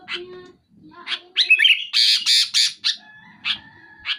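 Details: Sooty-headed bulbul singing hard at a rival: sharp chirps and a twisting phrase lead into a run of loud, harsh rasping bursts, then spaced short notes.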